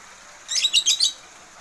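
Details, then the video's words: Newly caged white-eye, just settled in and singing at once: a brief high twittering burst of four quick chirpy notes lasting about half a second. "pleci baru ngombyok langsung gacor"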